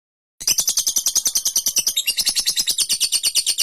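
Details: Lovebird giving a long ngekek trill used as a master recording for training birds: a rapid high chattering series of rattling notes, about three per second, steady and unbroken after a brief silence.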